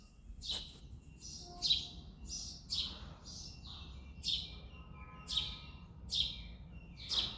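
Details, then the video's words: Early morning in February, a male house sparrow chirps repeatedly: about eight harsh, bright chirps over seven seconds, irregularly spaced, some paired with softer short notes between them. "House sparrow sound effect | Sparrow chirping sounds"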